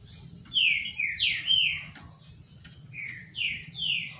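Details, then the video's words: Caged Green-winged Saltator (trinca-ferro, Paraná) singing in clear whistles: four quick falling notes in a run, a short gap, then three more descending whistles, over a faint low background noise. "TRINCA FERRO PARANÁ CANTANDO BONITO"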